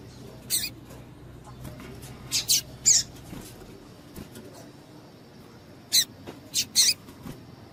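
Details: Female double-collared seedeater piping to excite males for breeders' singing contests: clustered high, sharp chips, a group of three near the start and a tight trio later, over faint hiss.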